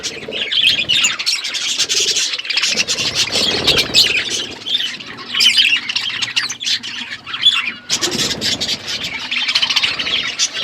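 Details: A group of budgies feeding, their constant overlapping chirps and grating squawks forming a busy chatter, broken by occasional rustles and a brief quieter gap near the middle.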